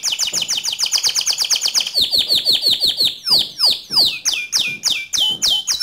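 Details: Canary singing in gacor style to train other canaries. It opens with a rapid repeated chip series, then slows into strong downslurred whistles that grow more spaced and emphatic.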